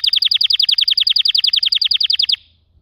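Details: A canary delivers a loud, rapid roll of identical bright notes, about ten per second, ending abruptly after two seconds over a faint low hum.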